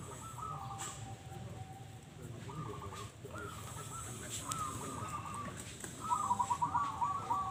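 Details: Caged zebra doves competing at a 2022 local contest in Bolorejo, Kalangbret, Tulungagung, East Java, Indonesia: repeated short bursts of rapid rattling coos, several birds answering each other, with clicks and crowd noise behind.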